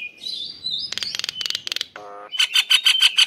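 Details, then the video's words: Nias hill myna male calling the female, giving a slurred rising whistle, bursts of rapid clipped notes, a brief low nasal honk, then five loud bright whistled notes in quick succession. "Jalak Nias Jantan Memanggi Betina Agar Gacor"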